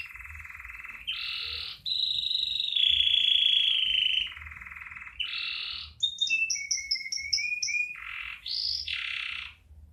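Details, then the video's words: Caged canary singing a loud, varied song in Indonesia. Buzzy, rolling trills change pitch every second or two, with a sharp high note and a short series of bright, clipped whistles near the end. "Kenari Burung Sapari"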